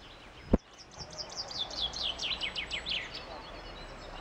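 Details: Common chaffinch song over steady background noise: a sharp click, then a rapid run of high, chipping notes lasting about two seconds that descend in pitch and end with a flourish.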